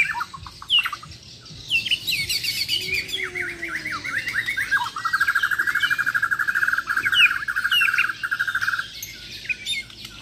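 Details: Champion Bornean white-rumped shama from Muara Wahau in a singing contest: varied chirps and a low sliding note give way to a long rapid rattling trill lasting about three seconds.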